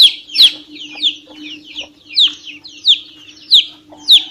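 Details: Domestic chick peeping insistently, loud high downslurred peeps separated by softer quicker chirps, irregular spacing, over a steady faint low hum.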